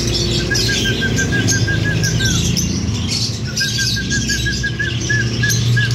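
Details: A breeding pair of lovebirds give two quick runs of even, mid-pitched chirps, with harsher scratchy chatter above and a steady low hum throughout.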